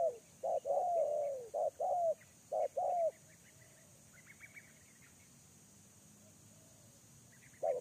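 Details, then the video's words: Spotted dove used as a lure bird: a run of low clipped coos and one longer mellow coo, then near-quiet with faint thin chirps from other birds, and a steady high hum throughout. "TEKUKUR LI4R ALERGI RACIK‼️MENT4L PIKAT SEMAKIN NAIK"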